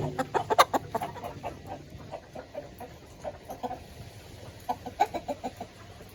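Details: Caged village chickens being fed in their coop give loud, short clucks in uneven bursts, a dense cluster at the start, scattered notes in the middle and another burst near the end.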